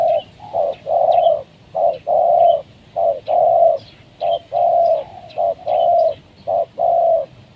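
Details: Trained decoy spotted dove calling to draw wild doves down, which came down for the first time. Steady series of low, mellow coos, short notes alternating with longer drawn ones in an even, repeating rhythm, with faint chirps from other birds behind.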